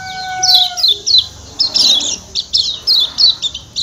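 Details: Kecial kuning, the Lombok white-eye, in a 'ciak ciak' lure call: steady run of thin, high, falling chirps about every third of a second, after a brief lower descending whistle at the start.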